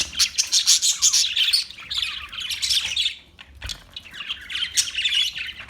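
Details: Parakeet chirping: dense bursts of high, scratchy chirps and squawky notes in rapid runs, pausing briefly near the middle before resuming, with a short low thump partway through.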